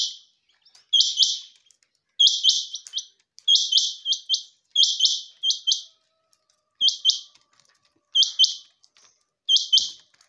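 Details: Female quail calling: high, scratchy chirps bunched in quick groups of two or three, the groups repeated about every 1.3 seconds, with a silent background.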